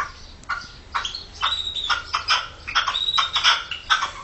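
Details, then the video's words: Red-legged partridges singing in 2014: a rapid, grating series of rasping chuk notes that run into repeated squawky phrases, with a low background hum. "perdigones cantando"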